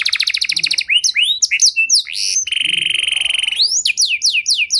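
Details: Canary song rich in melodic variation, used as a lure for quiet canaries: a rapid trill, assorted sharp sweeps, a steady buzzing roll, then loud descending whistled notes.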